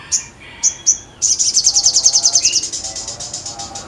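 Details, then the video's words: Sogon in lively song: a few high separate chips, then a long, rapid run of shrill notes in steady rhythm that gradually fades, with a faint lower whistle in the middle. "SOGON GACOR MANTAP"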